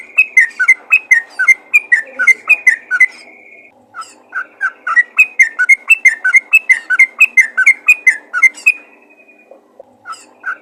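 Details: Bulbul call aimed at other bulbuls: fast, liquid chattering notes, then a short held whistle, a brief pause, and another energetic bubbly run ending in a drawn-out tone.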